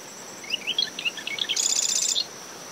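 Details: Marsh wren in dune shrubs around a nest at SMNWR, early morning after tropical depression Claudette, brisk wind. Recorder sits ten meters from the high tide line. Scattered sharp notes lead into a dense, buzzy mechanical rattle. A steady high cricket tone runs beneath, with wind and wave noise.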